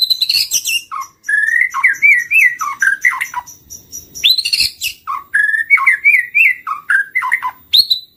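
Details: White-rumped shama singing as a trapping lure: continuous varied phrases of wavering whistled notes and sharp upward sweeps, repeated in near-identical sequences, loud and close with no other sounds.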